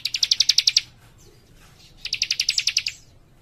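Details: Young warbler singing actively in tight, dense phrases: two bursts of rapid, evenly pulsed high chirps, about eight notes each and under a second long, separated by a short pause, over a soft low hum.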